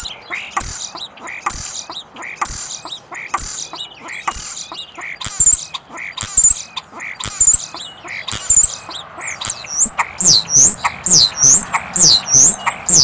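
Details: Common starling calling for a mate at close range, near enough to peck the camera lens: loud repeated clicks and rattles with high, thin whistles about once a second, turning into rapid sliding whistles toward the end.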